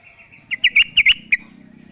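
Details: Female sooty-headed bulbul calling for a male: a brief flurry of about six sharp, chirpy notes packed into less than a second.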